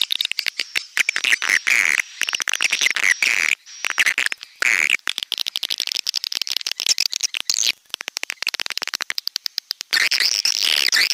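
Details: Swiftlets in a stereo sound-lure recording: dense, continuous high twittering and chattering with rapid clicks, buzzy warbled phrases, and a thin high tone running through, broken by brief gaps.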